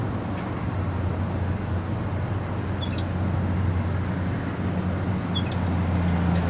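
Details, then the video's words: Captive Cuban grassquit (Tiaris canorus), a large, handsome individual, singing very high, thin notes: scattered chips, then a drawn-out buzzy whistle and a quick jumble of squeaky notes, over a steady low hum. "Tomeguin cantando"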